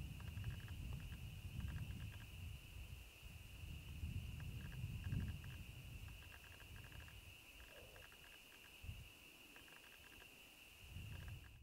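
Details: Deep, gulping onk-a-chonk call of a bittern, repeated low booming pulses every couple of seconds, with a constant shrill insect hum and scattered clicks behind.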